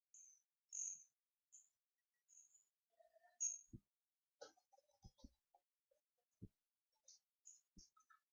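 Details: Two twelve-day-old hawfinch chicks, hand-reared after their foster hen abandoned them, beg while being hand-fed on 4 May 2014; thin, very high squeaky notes come in scattered bursts, with soft handling thumps and rustles.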